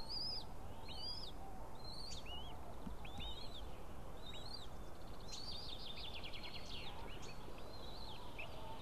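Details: White-tailed eagle chicks, three eaglets with the third hatched the day before, being fed fish by their mother in the nest at 7:38 on 20 April 2016: thin, high, downslurred chirps repeated about every half second to second, over a steady hiss.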